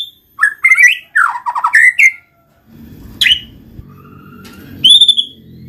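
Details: White-rumped shama lure song in gacor style: about two seconds of quick varied whistled and chattering notes, then a low rumbling background with a single sharp note and a final high clear whistle.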